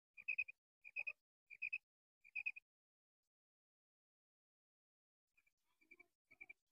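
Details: Female common quail calling four loud triple-note bursts in quick succession, then a pause and softer, more distant notes returning near the end.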